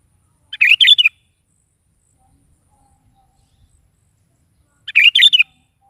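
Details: Vigorous morning song of a sooty-headed bulbul, meant to draw a kept bulbul into replying; two half-second warbled phrases roughly four seconds apart with silence between.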